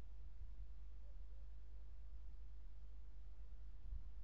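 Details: Steady low rumble and faint hiss throughout, with no animal calls heard.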